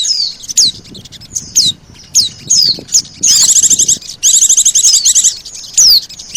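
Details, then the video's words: Lure recording of Oriental white-eye combined with sogon, said to be highly effective for attracting birds: sharp, high downslurred whistles between bursts of rapid, buzzy, trilled chatter. "SUARA PIKAT BURUNG PLECI DAN SOGON"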